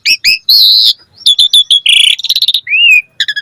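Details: Short burst of Asian pied starling song used to encourage other starlings to sing: loud whistled notes, a sustained buzzy tone, a fast trill of repeated chips and a smooth rising-falling whistle.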